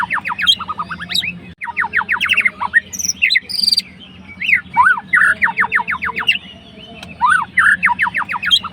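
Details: Fighter white-rumped shama (murai batu) singing to provoke a rival's emotions. It gives rapid runs of sharp, steeply falling whistled strokes mixed with looping and rising phrases, with brief pauses, over a steady low hum.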